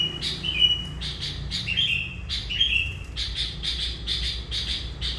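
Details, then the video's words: Sooty-headed bulbul, a lively song used as a lure that has drawn in hundreds of these birds; rapid repeated squawky notes mixed with short clear whistled slurs, delivered nonstop. "Burung Kutilang qu dengan suara Gacor"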